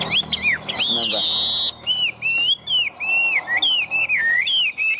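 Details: Caged Chinese hwamei, a thoroughly tame large-bodied bird kept for competition singing, in Vietnam; loud whistled song of looping rising-and-falling notes repeated in quick succession, with a brief burst of other noise near the start.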